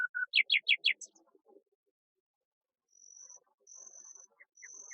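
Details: Common nightingale imitating other birds: a low note, then four loud, fast, descending buzzy notes and a high squeak, a pause, then long, thin, very high drawn-out whistles with faint low notes between them.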